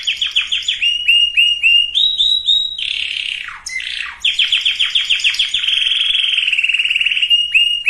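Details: Canary song played to get females and males ready for breeding: fast rhythmic rolls of high chopped notes, a sliding swoop near the middle, then a long, even, buzzy trill.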